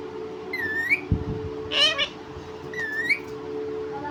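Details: Talking pet parrot, said to say mummy papa, makes two rising, curved whistles two seconds apart with a brief harsh speech-like burst between them, plus a thud and a steady background hum.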